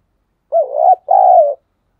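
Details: Single coo phrase from a spotted dove meant to stimulate other doves to coo: a wavering, rising first note running into a long, steady, mellow coo that falls slightly at the end; silence around it.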